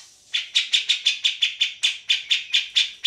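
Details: Lively grey-cheeked bulbul, recorded as a tutor for other songbirds, giving an even series of harsh, buzzy chattering notes about four per second after a brief quiet start.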